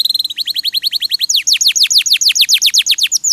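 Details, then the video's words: Canary singing for a 'masteran' training recording. It opens with quick repeated high chips, then steep downslurred whistles repeated about four times a second in a steady rolling series. "MASTERAN KENARI RAJIN BUNYI"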